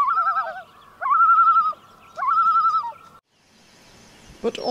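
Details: On northern lake breeding grounds in early-morning mist, a Common Loon of a quietly interacting pair gives its characteristic tremolo, or laughing call: three quavering, wavering mid-pitched phrases, each about a second long. A faint hiss and a click follow.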